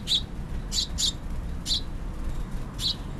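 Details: House finch fledgling from a nest in a hanging planter on an Emeryville apartment deck begging to be fed: five short, high, scratchy cheeps at uneven intervals over three seconds, with low background rumble and faint music.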